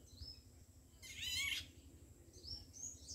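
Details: A juvenile Indian golden oriole at Kanewal Wetland, Kheda, Gujarat, gives one harsh, scratchy call about half a second long. Faint thin high notes come before and after it, over a low background hum.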